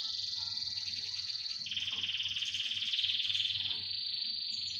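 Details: Chorus of canaries singing: a continuous high rolling trill that steps down in pitch partway through and carries on steadily, heard softly at a distance.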